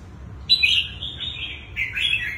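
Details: Wild-caught red-whiskered bulbul singing in its twisting style. One sustained, wavering whistled phrase dips and rises, then ends in a short rolling flourish.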